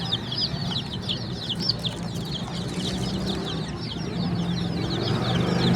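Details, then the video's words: Baby chickens chirping loudly and irregularly, many bright high downslurred peeps overlapping, with a low hum building toward the end. "The Chirping Sounds of Cute and Funny Baby Chickens"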